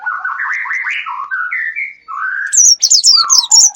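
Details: Lure sound for attracting wild birds: a run of mid-pitched warbled, rising phrases that step upward, then sharp high downslurred chirps and lower whistled notes overlapping near the end.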